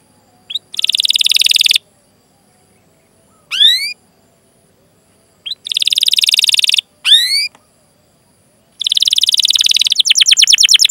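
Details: Canary song for prompting young or silent canaries to sing: dense buzzy rolled trills lasting about a second each alternate with single rising whistled chirps, ending in a fast descending trill.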